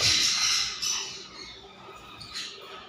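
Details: Monk parakeet letting out a sharp, shrill squawk at the start, followed by fainter rasping calls that fade away, with a brief harsh note near the end.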